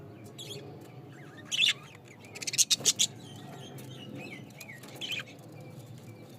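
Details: Pet budgerigars in a small cage give short warbled chirps and squeaky bursts in scattered clusters, with quieter twittering between and a low room hum underneath.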